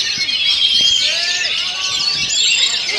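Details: Oriental magpie-robin (kacer) in the 'rolling stone' style, delivered as rapid 'ngerol nembak' rolling bursts: a dense, unbroken stream of high twittering and trills, with faint lower curved whistles underneath.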